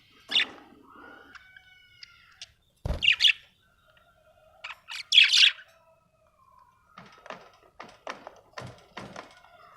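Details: Happy budgerigar chirping: scattered sharp chirps and short bursts with brief quiet warbled notes between them, irregular and separated by pauses.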